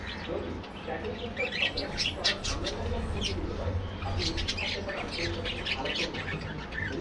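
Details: Many budgerigars in a colony aviary give steady, softer chattering, scattered chirps and squeaks overlapping, with a low rumbling background throughout.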